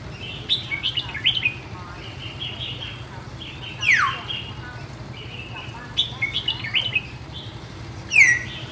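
A red-whiskered bulbul sings short, bubbly whistled phrases with a few sharp down-slurred notes, repeating every couple of seconds over a low steady hum.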